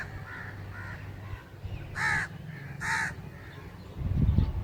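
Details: Crow calling: a few faint, distant hoarse caws at first, then two loud, harsh, grating caws about a second apart, over a steady low rumble, with a burst of rustling noise at the end.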